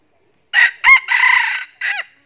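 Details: Crow of a red junglefowl drawn in by a decoy hen, made of two clipped harsh notes, a drawn-out raspy central section and a brief downward-curving final note.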